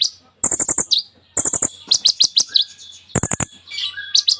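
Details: A sunbird ("kolibri ninja") in full, lively song packed with varied imitations: a fast, high-pitched medley of sharp ticking bursts, thin rapid trills and quick looping whistles in short energetic phrases.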